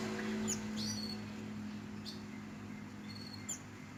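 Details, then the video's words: Javan white-eye chirping (ngeriwik): a few short, high, thin chirps and down-slurred whistles spaced over several seconds, over a steady low hum in the background. "Burung mantenan ngeriwik"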